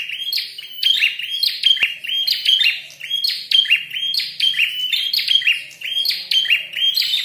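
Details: Fighting red-headed prinia, very vocal, pouring out a steady stream of high, clipped chirps with bright whistled notes, grouped in rhythmic bursts roughly every second, with one sharp click.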